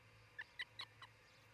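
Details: Osprey at a nest near treetop homes in Charlo, Montana, where a pair builds a new nest; four short sharp chirped notes, the third strongest, evenly spaced about a fifth of a second apart over low steady hum.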